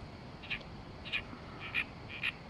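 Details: Oriental reed warbler in Oyama, Tochigi, Japan, giving four harsh, grating notes, about one every half second, over a steady hiss of background noise.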